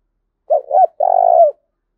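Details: A male spotted dove used as a decoy, calling hard to provoke a rival. One loud phrase: two quick throaty coos, a short pause, then a sustained, slightly trembling croo that drops at the end.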